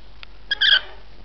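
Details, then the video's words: Rainbow lorikeet giving one short, shrill, rasping screech with stacked harmonics, preceded by two faint clicks and followed by quiet background hiss. "Rainbow lorikeet's"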